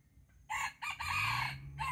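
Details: Red junglefowl, early in the season, a very aggressive bird, crowing: harsh, hoarse, broken crow in three bursts, rising and then trailing off, over a low steady hum.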